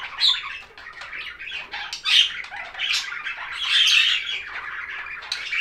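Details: Budgerigars chirping in a relaxing stress-relief recording: busy overlapping warbles, squawks and rapid chatter, bursts of varied chirps rising and falling throughout with short pauses between louder phrases.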